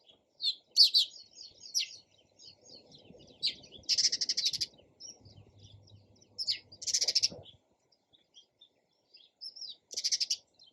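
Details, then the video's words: Sparrow chirping steadily: scattered high chips broken by several fast, rattling bursts of rapid notes, with soft low noise in the background. "SOUND OF SPARROW RELAXING CHIRPING SOUND."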